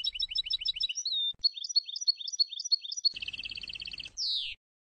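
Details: Sfax-style song of a Tunisian European goldfinch, a 2022 tutoring recording: repeated twittering chirps and a short whistled slur, then a rapid buzzing trill, ending with one loud harsh downward-sliding note.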